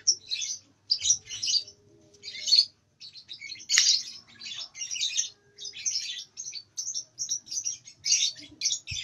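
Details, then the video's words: Young lovebird about two months old, still unable to ngekek long, produces a sequence of harsh, buzzy high chatter bursts separated by short silences. "LOVEBIRD PAUD Nyeklek Belajar Ngekek Latah Mewah"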